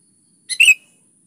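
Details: Sooty-headed bulbul in full song, used to draw out other bulbuls: a single brief phrase, a soft lead-in note followed by a bright, gurgling double note, clean and quiet around it.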